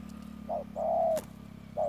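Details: Spotted dove kept as a ground decoy in Đức Cơ, giving a short coo then a long even coo, with a faint mechanical hum and a sharp click between phrases.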